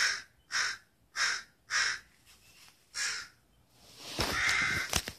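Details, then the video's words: Pre-dawn birds outside a window in Redmond, Washington, calling between 4:30 and 4:45 AM before the sun rises. Four evenly spaced raspy caws about every 0.6 seconds, then a fainter one and another, ending in a burst of loud broadband noise. "loud birds outside my window at 4:30 AM"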